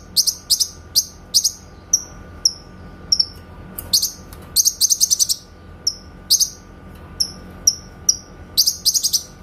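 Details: Clear master recording of a grey-cheeked bulbul, used to train white-rumped shamas: sharp high bursts of quick stacked chirps alternating with brief downslurred single whistles, spaced irregularly over about nine seconds.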